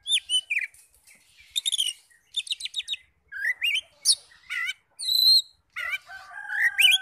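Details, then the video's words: Oriental magpie-robin song played to provoke other magpie-robins to answer and sing: varied loud whistles, rapid trills and buzzy rattles in short phrases with brief pauses, strident rising and falling notes throughout. "PANCINGAN NAIKAN EMOSI KACER 100% IKUT NYAUT NGEPLONG"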